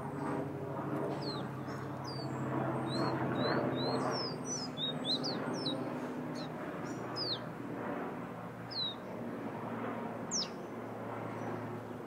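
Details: Fire-red bird from Guyana whistling: a busy run of short, sharply slurred whistled notes, many sweeping up or down, against a steady low hum and rumble.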